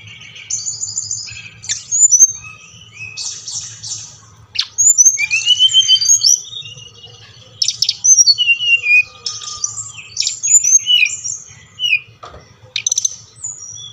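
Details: Brown-chested jungle flycatcher singing, played to stimulate captive birds; dense high warbling with rising and falling whistles, stuttering rapid notes and short pauses between bursts, low mechanical hum throughout.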